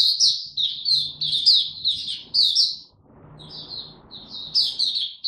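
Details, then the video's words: Loud, bright chirping bursts from a young white-eye whose song is maturing, recorded 09-02-2022; quick sharp high phrases, a short pause with soft twittering, then more emphatic chirps. "Mata Puteh Dagger Video 1 buka sing tiong aw studying his progress n maturing"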